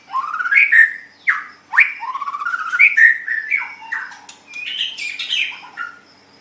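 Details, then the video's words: White-rumped shama song for training pet songbirds: loud rising whistles and sweeping slurred notes, then varied chattering and scratchy warbled phrases. "Suara Burung Murai Batu"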